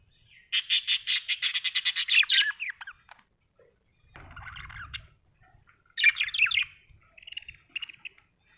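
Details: Budgie chattering with a fast, evenly repeated run of about fifteen rasping pulses, then a softer buzzy stretch, then a warbled, twittering phrase over a faint low hum.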